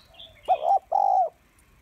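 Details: Spotted dove; coo; female calling to stimulate males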